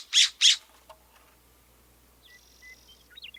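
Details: California (Western) Scrub-Jay giving two harsh, raspy squawks about a quarter second apart, a common call, followed by faint thin whistles and chips from other birds.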